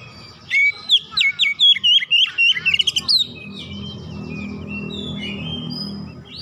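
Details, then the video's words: Household Oriental magpie-robin singing in the ngoyak style, showing off its learned repertoire after hearing another bird: a burst of sharp, loud whistled notes rising and falling for about three seconds, then softer twittering over a low room hum. "KACER RUMAHAN MENDENGAR LANGSUNG NGOYAK BONGKAR ISIAN"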